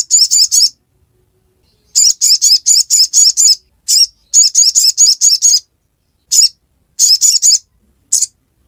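Little Spiderhunter: quick runs of three to six high, thin, sharp chipping notes, delivered in fast bursts with short pauses between them.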